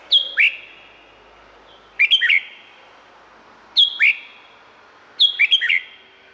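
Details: Clear whistled song of a Red-whiskered bulbul from Thailand, four cheerful phrases of two to four rollicking notes repeated roughly every one and a half seconds, each trailing into a faint echo.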